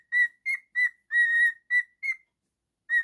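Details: A male cockatiel kept as a pet whistles six short bright notes and one longer held tone in close succession, then falls silent before a final short whistle.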